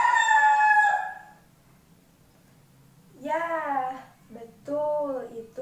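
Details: Male chicken crowing, played back as a guessing quiz in a primary school lesson about animals; the crow ends in a drawn-out harmonic note, followed by a woman's voice speaking.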